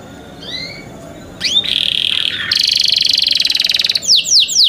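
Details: Young canaries cared for by their owners: soft whistled notes, a rising sweep into a brief buzz, then a long rapid trill followed by quick loud downslurred chirps.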